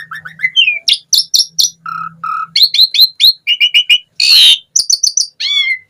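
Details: Asian pied starling in a lively 'gacor full isian' song. Clicks and rising whistles run into low paired hoots, then bright repeated chip series, a loud harsh rasp and a final falling whistle. A faint low hum sits underneath.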